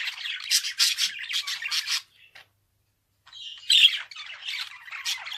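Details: Budgerigar chattering densely with rasping squawky notes for two seconds, falling silent briefly, then resuming with a loud squawk and more scratchy warbling.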